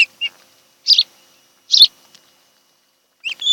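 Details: Osprey at a nest on Kent Island, Maryland, in July: a few scattered short, high, harsh chirps separated by silence.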